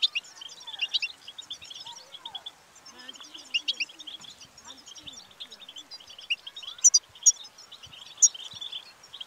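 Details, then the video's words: Goldfinch song used to stimulate another goldfinch to sing, in the distinctive tabtaba style: dense, rapid twittering of bright chirps and trills, continuous over the whole stretch, with scattered louder sharp notes and a faint low murmur beneath. "بتبتة الحسون المميزة في تحفيز على التغريد"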